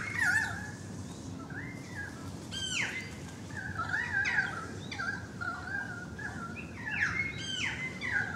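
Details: Several currawongs noisy outside a balcony: repeated short whistled swoops, many dropping or stepping down, clustered in bursts with brief pauses, against steady background hum.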